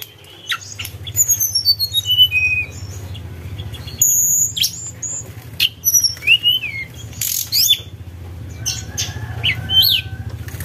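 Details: Javan tesia lure song: a descending run of high whistled notes, then scattered bright whistles, twisting slurs and buzzy bursts, over a steady low hum.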